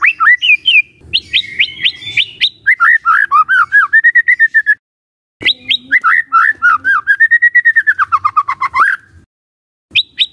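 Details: White-rumped shama song as a lure for provoking rival shamas. The song is rich and melodious, with high flourishes and cascades of repeated whistled slurs that swell and fall, in two long phrases separated by a brief silence.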